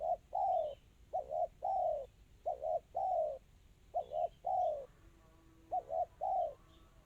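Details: Dense, fast 'kristal' song of a spotted dove: hollow coos in repeated phrases of a brief double note then a longer descending note, about five phrases in seven seconds, faint high chirps behind.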